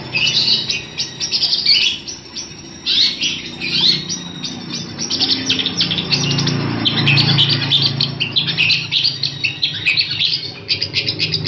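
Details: Long-tailed shrike song used as tutor material for training other birds: varied, rapid chattering and squeaky high notes in bursts, with a steady low hum and rumble underneath throughout.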